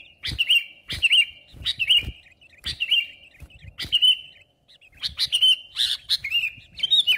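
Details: Lively, chattering sooty-headed bulbul song meant to provoke and pull in rival birds for trapping; rolling whistled notes come in quick groups, punctuated by loud dry clicks.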